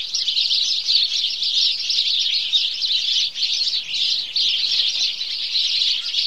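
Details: Morning chorus from a group of house sparrows: continuous, lively chirping from many birds, with one short dip in volume just past three seconds.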